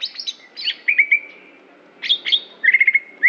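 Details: Competition greater green leafbird from Aceh singing high chips and slurs, then a pause, a rich burst, and a fast string of repeated short whistled notes.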